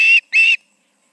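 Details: Osprey at an evening nest in Charlo, August 20, 2019, two birds present: two loud piercing whistled notes in quick succession, the second rising slightly.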